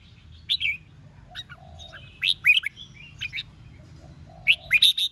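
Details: Red-whiskered bulbul in competitive singing meant to provoke rival birds into singing back: short bright chirpy phrases, some with quick rising and falling notes, in three bursts about two seconds apart over a low steady hum.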